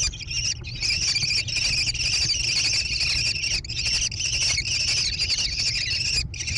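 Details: American kestrel chicks growing in a gravel-bottomed nest box on a barn overlooking hilly meadows near Prairie du Chien, Wisconsin, USA, 14 June 2022; continuous high, buzzy chittering held for seconds with only brief breaks.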